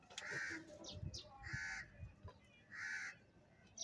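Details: Crow at food in winter giving three harsh, nasal caws spaced about 1.2 seconds apart, each drawn out and even, over low thumping background noise.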